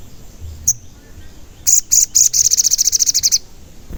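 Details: Sogon lure call meant to provoke wild or caged sogon into calling: a sharp chip, then a few high notes running into a fast, even, high trill of about fifteen pulses lasting under two seconds.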